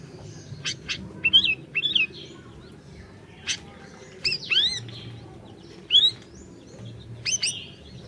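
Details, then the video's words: Lively orange-bellied leafbird song, offered as a lure for a bird that has stopped singing: clear ringing downslurred whistles mixed with short sharp chirps in loose phrases, steady low hum behind. "Masteran Burung Siri Siri Gacor, Cocok Buat Pancingan Burung Siri Siri Macet BUNYI"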